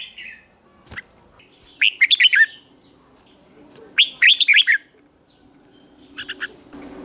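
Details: Red-whiskered bulbul singing as a lure to call in wild birds: short bursts of rich, rapid whistled notes, rising and falling, in phrases about two seconds apart, with faint background hum and a brief click.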